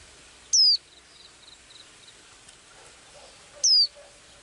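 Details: Blue-eyed small bird with a daily song: two bright, high, descending whistles about three seconds apart, and faint tiny ticking notes in between over a quiet hiss.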